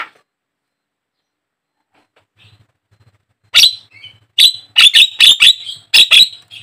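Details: Black-winged starling (jalak kebo) song used as a lure to make caged starlings sing: silence for over three seconds, then a burst of loud harsh screechy notes, grating and clipped, in quick clusters.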